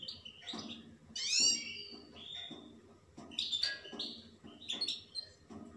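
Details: European goldfinch singing quieter twittering phrases of bright sweeping notes with a few upslurred chirps, against soft rhythmic low tapping.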